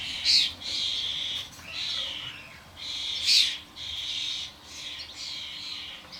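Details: Starlings, adults and newly fledged young, crowding a garden suet feeder; long drawn-out wheezy rasps merging into one another, punctuated by two sharp shrill squeals.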